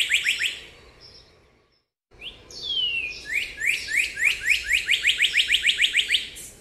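A cardinal whistles clear slurred notes, a few quick phrases, a pause, then a long descending slur and a fast run of about three bright chirps per second.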